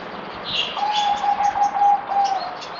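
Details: Zebra dove (merbok) on its fourth day of deworming, 17 April 2020: one bubbling run of rapid, staccato low coos lasting about a second and a half, with thin high chirps of other birds above it.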